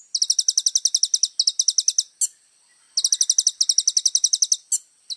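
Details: Little spiderhunter in energetic, richly varied song. Bursts of rapid, high staccato chips run roughly two seconds each and are separated by brief squeaky upslurs and a short pause. The background is otherwise quiet.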